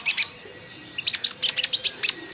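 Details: Sunbird in the chattering ceriwis style with fill-in phrases: two sharp high chirps, a short pause, then a rapid run of thin, piercing high notes at uneven spacing.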